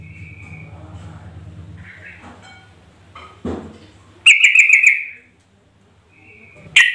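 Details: Sooty-headed bulbul call used as a lure to get other bulbuls calling back: after a low rumbling background and a brief clatter, a sudden loud, bubbly, rapidly pulsed chattering burst of about one second, then a faint whistle and another short burst.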